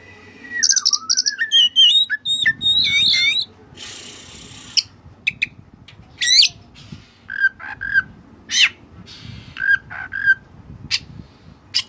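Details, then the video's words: Oriental magpie-robin, white-breasted form, singing with cililin phrases mixed in: dense runs of varied whistles and chatter, a burst of harsh noise, then sharp clicks and short whistled notes repeated at irregular intervals. "Burung Kacer Gacor Isian Cililin"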